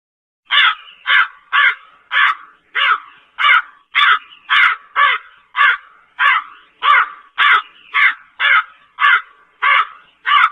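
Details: Slender-billed crow giving a long steady series of harsh, hoarse caws, about nineteen calls in ten seconds, each short and raspy and evenly spaced roughly half a second apart, with no other sounds.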